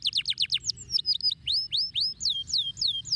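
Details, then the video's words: Canary singing a burst of rapid descending chips, then a string of clear upward-swept whistles repeated about four times per second, bright and high-pitched. "أي كناري يجب أن يسمع صوت هذا الكناري"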